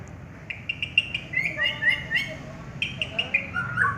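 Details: A champion contest white-rumped shama gives spaced, clear whistled notes and short slurred phrases. Some notes rise, others drop, over a steady low hum of background noise.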